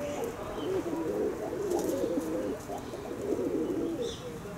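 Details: A flock of kept pigeons makes continuous overlapping low, warbling coos, a soft rolling murmur throughout, with a brief high chirp near the end.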